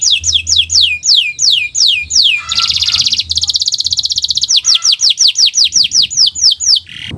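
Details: Canary singing a gacor song in the owor-owor style, a tutoring recording meant to prompt other birds to sing: rows of sharp descending whistles, then a fast buzzy trill, then more quick descending notes, with a faint low hum.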